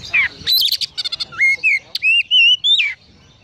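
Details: Konslet song of an Oriental magpie-robin, filled with Eurasian tree sparrow imitations: a downslurred note and a chattering burst, a quick stutter of clicks, then several loud, smooth rising and wavering whistles.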